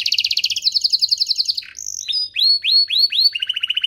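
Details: Song of a domestic canary, played to teach young birds and stir canaries to sing: fast high rolling trills, a brief whistle, then several upward-curving slurred notes and a quick lower trill at the close.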